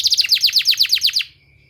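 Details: Canary singing, offered as a therapy sound for training canaries: a short trill of about ten quick downward-sweeping high notes, then quiet.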